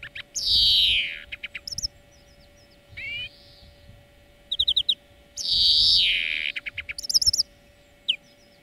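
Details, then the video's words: European greenfinch song lesson for training birds: two long wheezy, buzzy notes falling in pitch, separated by short twittering trills and quick chirps, over a steady faint hum. "Florya Ötüm Dersi"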